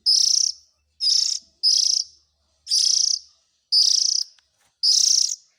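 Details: Oriental magpie-robin chick calls, used to lure the parent birds: harsh, buzzy, hissing rasps, each about half a second long, repeated roughly once a second in an uneven rhythm. Gaps between calls are quiet.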